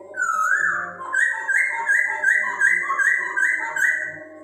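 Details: Song of a Chinese hwamei, offered to stimulate breeding urge in kept birds: a rising slurred opening whistle followed by a steady series of loud, rich whistled notes repeated a little over once a second.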